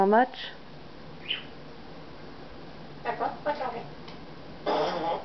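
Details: Congo African grey parrot talking indoors in December '08: a brief rising tonal squawk, a thin whistle, then a run of speech-like syllables and a final louder drawn-out word against low room noise.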